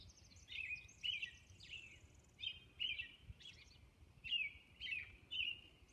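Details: American Robin caroling at dawn on Orcas Island: about nine short, rich, slurred whistled phrases, rising and falling, given in loose bursts every half second with brief pauses; faint low background hiss.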